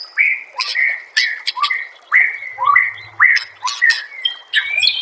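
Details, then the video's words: Master song of a white-rumped shama for training caged birds: loud whistled notes with rising tails repeated roughly twice a second, mixed with sharp clicking chips. "murai batu anda dengar suara MASTERAN burung"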